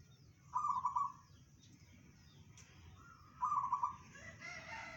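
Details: Zebra dove of local stock singing the bedah karang style, said to be heard 500 metres away: two short rattling, staccato coo phrases about three seconds apart, another bird's call at the end.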